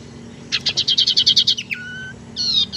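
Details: Tailorbird lure call for trapping or coaxing a reluctant bird into song: a rapid even series of about a dozen loud high chips, then a short flat whistle and a brief buzzy phrase.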